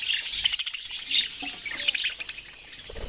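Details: Short burst of budgerigar chatter with squeaky, whistled chirps packed closely together over a continuous twitter.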